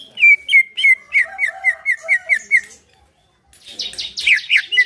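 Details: A caged greater green leafbird's relaxed song, used to stimulate another bird to sing: a steady string of about a dozen short downslurred whistles, then a pause and a burst of higher, richer chattering notes.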